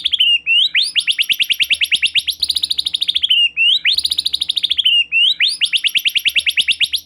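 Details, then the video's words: Murai batu, the white-rumped shama, in full song used as a lure to set off another bird; a loud rapid chattering trill of rising notes, repeated in bursts about every three seconds, over a faint low hum. "Silahkan Coba Video Pancingan Murai Batu Gacor Ini, Murai Bahan Pasti Bunyi || Voice of Murai Batu"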